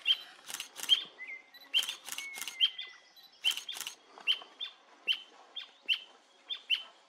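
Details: Endangered Brasilia tapaculo singing at Serra da Canastra, Brazil, in 2021: a monotonous run of single sharp 'ewk' notes repeated a little under once per second, with a few louder broadband clicks and a faint thin whistle from other sources.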